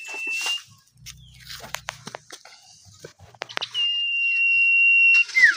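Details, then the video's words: Caged common iora singing in a relaxed mode: clicks and short notes, then a long, pure, level whistle held about a second and a half before dropping in a quick downslur. "Manuk cipow mode santai kurang greget..."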